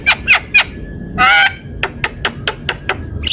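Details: Javan myna lure recording, 'gacor' style: three short squeaky notes, a loud harsh rasp, then a row of evenly spaced dry clicks.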